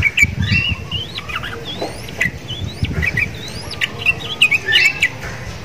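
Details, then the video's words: Energetic song of a caged sooty-headed bulbul, said to mimic the Javan myna kept nearby. Varied whistles with quick upward sweeps and short chattering bursts. "TRUCUKAN GACOR !!! MENTALNYA SEPERTI JALAK KEBO"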